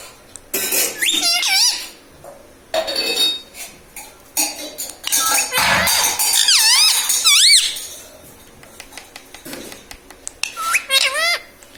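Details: Talking pet parrot repeating "mummy papa": scattered high, wavy speech-like phrases among clinking, rattling household noises, with the clearest mimicked syllables in the middle and near the end.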